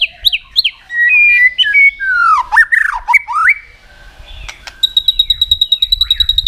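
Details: Contest-singing White-rumped shama pouring out varied forest-style phrases: quick upswept notes, level whistles, deep swooping slurs, then a steady series of high, ringing, evenly repeated notes.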